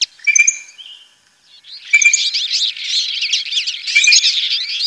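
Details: Goldfinch near Tablas de Daimiel and Villarrubia in Manchegan Spain, singing a rapid, continuous jumble of high tinkling, buzzy and twittering notes after a short opening phrase and a brief pause.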